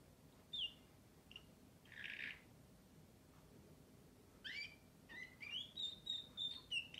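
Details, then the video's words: Canary song: scattered short chirps and one buzzy burst, then a quick run of rising whistles and sharp high notes toward the end, against a quiet, faintly humming background. "śpiew kanarka"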